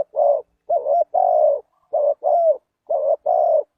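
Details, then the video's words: Spotted dove call used as a lure for wild doves: a run of about seven low, hollow coos, some paired closely and others longer and slightly wavering, with short silent gaps between them and no other sounds. "Chim cu gáy chiêu kích mồi tập bổi nhanh nổi hiệu quả"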